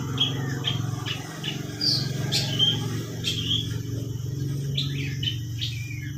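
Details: Long-tailed shrike with lovebird song in its repertoire: scattered shrill chirps and thin squeaks, some in quick pairs, set against a continuous low droning hum.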